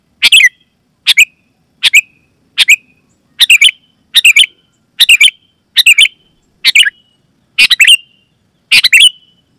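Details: Sooty-headed bulbul call used to draw wild bulbuls in forest and start caged ones singing; around eleven crisp, chirpy bursts come in a steady, quick run, some doubled, with no other sounds.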